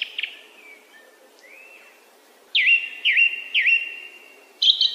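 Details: Song thrush (Turdus philomelos) sings a clear, whistled phrase three times in quick succession, each a short swooping note, between brief bright chirps.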